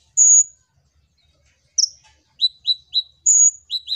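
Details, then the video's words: Kolibri ninja (Purple-throated sunbird) in lively song, used as a lure to prompt other birds to sing. A long, piercing whistle and a buzzy note are followed by a run of short downslurred chips and another high, held whistle. "Pancingan Ampuh‼️Kolibri Ninja Gacor Untuk Burung Bahan Ombyokan"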